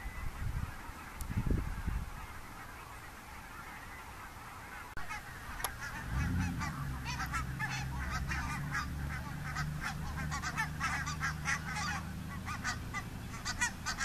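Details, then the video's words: Large flock of wild geese, Barnacle, Greylag and White-fronted, flying at morning from IJsselmeer shallows where they slept to nearby fields to feed, near Gaast, Netherlands, October; dense overlapping honking chorus, with low rumbling noise underneath from midway. "Thousands of wild geese flying"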